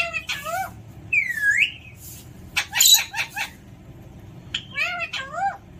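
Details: Pet Alexandrine parakeet alternating short curved harmonic calls with a longer sweeping whistle, a cluster of rapid harsh notes in the middle, and more curved calls at the end.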